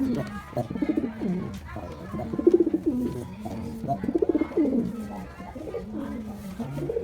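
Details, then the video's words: White pigeon giving its mating call during courtship and kissing, a series of low, throaty rolling coos repeated in pulsing bursts, with a faint indoor echo. "Pigeon mating call"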